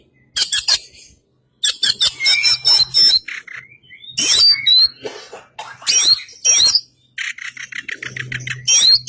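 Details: East Javan white-breasted Oriental magpie-robin (Kacer Poci), a caged bird trained in full isian style. It sings a dense, varied stream of fast rasping trills, squeaky slurred whistles and chattering notes with brief pauses between phrases.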